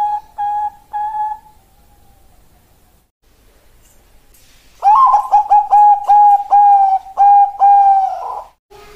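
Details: Bangkok-line zebra dove, a female calling a male, in a lure recording: three soft coos, a pause of silence, then a loud burst of around ten clipped, repeated coos ending with a short drawn note.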